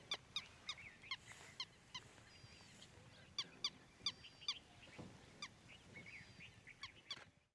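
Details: Striated heron in Ranthambore National Park, India, in November 2023, giving sharp, clipped calls, two or three a second at an uneven pace, with faint high whistles from other birds behind.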